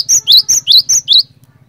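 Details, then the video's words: Cinereous tit (glatik batu) singing a lure song meant to make other tits join in: six sharp, high whistled notes, each with a dropping then rising two-part shape, delivered quickly, over a steady low hum. "PANCINGAN BURUNG GLATIK BATU GACOR INI ASLI BIKIN GLATIK BATU LAIN LANGSUNG IKUT BUNYI"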